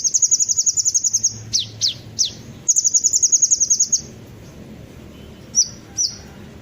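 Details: Lure recording of an olive-backed sunbird: rapid high metallic trills of about a dozen notes each, broken by three sharp downward-swept chips, then two brief high slurred notes after a pause.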